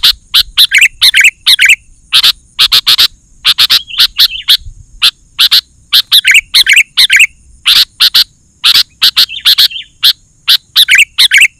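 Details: Vigorous 'gacor' singing of a sooty-headed bulbul, meant to rouse other bulbuls and draw wild birds: a long fast series of sharp paired chips mixed with frequent short bubbly whistled phrases.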